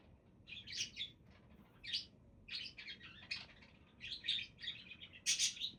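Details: Budgies chattering with quick raspy chirps and squeaky warbles in short bursts, ending with a louder harsh squawk.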